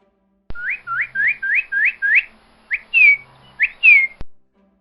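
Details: Northern cardinal (Cardinalis cardinalis) song: six quick, clear upslurred whistles, then three louder slurred notes, over a faint low hum.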